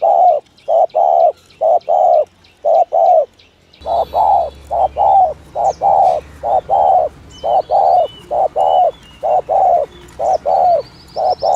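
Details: Spotted dove cooing in the 'thổ thúc gù' style prized by dove-luring trappers; paired deep coos, short then drawn-out, repeat in a steady run while a low hum enters midway and small birds twitter faintly.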